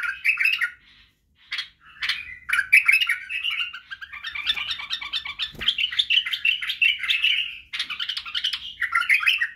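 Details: Song of a white-eared bulbul meant for training fledglings to sing: a few clipped opening notes, then a long, busy run of chattering, warbled notes lasting several seconds.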